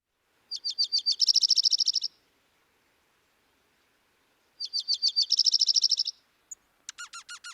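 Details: Dark-eyed Junco (Junco hyemalis) contact call: two birds calling back and forth in fast bursts of high, bright ticking notes, then short sliding twitters; the presenter finds it confusing, saying it has a bit of an alarm feel.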